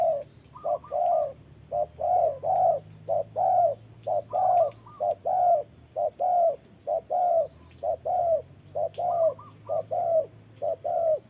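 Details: In rain, a decoy spotted dove and a wild one trade calls at a trap: a long rhythmic sequence of low short-long coos about once a second, punctuated by higher quick triple notes from the other bird.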